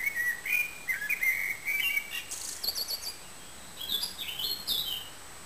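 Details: Eurasian wren singing at the Réserve de Calviac, a fast run of sharp, high twittering notes and slurred whistles in quick bursts, with shrill, tumbling phrases continuing almost without pause to the end.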